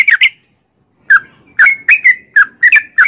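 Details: Sooty-headed bulbul: a quick slurred note pair, a half-second silence, then a run of short liquid whistles rising and falling in close succession.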